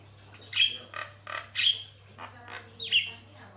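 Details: Tutor-recording Javan myna in full, lively voice: about five separated harsh squawks with whistled, slightly descending tones inside them, spaced roughly half a second apart, with a constant low hum underneath.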